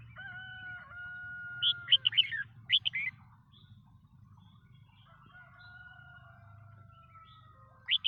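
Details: Red-whiskered bulbul song: two bursts of bright, quick, warbled notes around a second apart, then a pause and another brief burst at the end, over a steady thin whistling tone and low hum.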